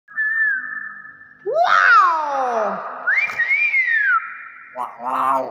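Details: Common hill myna imitating human speech: long whistled tones, a sweeping slide down, then a rising and falling whistle and harsh voice-like syllables, with a person greeting nearby.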